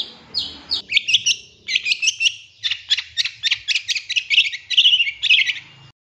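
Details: Long-tailed shrike master song meant to provoke other birds: a string of about fifteen sharp, rapid, high chirping notes and buzzy trills, evenly spaced at roughly three per second after a brief scratchy start.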